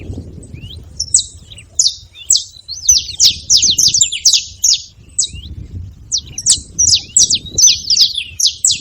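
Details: Saffron finches living free: scattered, then tightly bunched high chirps and downslurred notes, with soft low background noise throughout.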